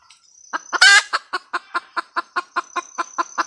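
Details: Red junglefowl hen giving a cackle, opening with one harsh, noisy squawk, then a regular string of short clucks around five per second; a thin high whine runs behind.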